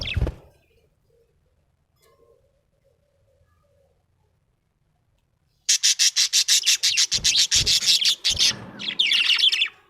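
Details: Happy pet budgerigar giving a fast, evenly pulsed series of buzzy high chirps, about a dozen in a row, ending in warbled notes after a quiet start with a knock.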